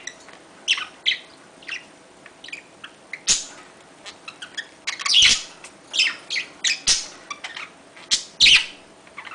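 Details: Budgerigar courtship calling: scattered soft chirps and chatter building to louder scratchy bursts every second or so, with a few sharp clicks, indoors.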